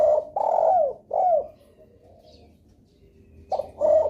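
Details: Spotted dove coo phrase used as a lure for other doves: a short note, a long hollow coo and a downslurred coo, then a silence and two further coos.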